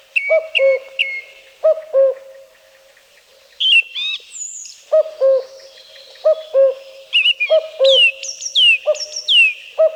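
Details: Forest recording from Wielkopolska National Park with a Common Cuckoo repeating its low, falling two-note call about seven times in steady series. A song thrush overlaps with bright, varied high whistles and sharp notes.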